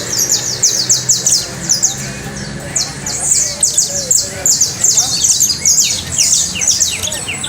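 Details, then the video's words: Canary trill with long strings of rapid, high downslurred notes, tight rolls at the start and later, over faint low noise. "trino de canario"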